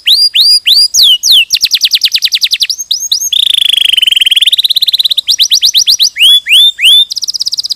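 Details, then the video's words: Canary training song with swooping whistles and rapid trills, broken by a long low wavering rolling tour, then more trills and hooked notes to the end. "Masteran Kenari 100% Suara Jernih"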